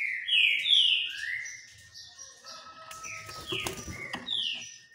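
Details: Green-winged saltator sunbathing, opening with strong downslurred whistles, then softer notes mixed with rustling and clattering noises in the second half.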